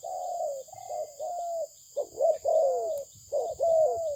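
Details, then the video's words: Malaysian spotted dove producing smooth, drawn-out coos that slide slightly downward, interspersed with quicker clipped notes, with a persistent faint high-pitched tone underneath. "លលកធ្នាក់ម៉ាឡេស៊ីពូជល្អ សម្លេងល្អ លេងល្អ - Terkukur Mania - The Sound Of the dove"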